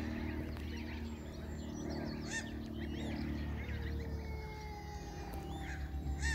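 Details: Greylag geese with goslings at a wetland nature reserve in Arundel: scattered short calls and thin drawn-out whistled peeps, some gliding downward, over steady low rumbling background noise.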